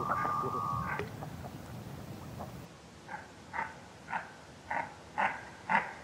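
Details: Goosander, a large black-and-white diving duck, giving short croaking calls roughly every half second, each a brief two-toned burst; a steady whistled tone is heard earlier in the recording.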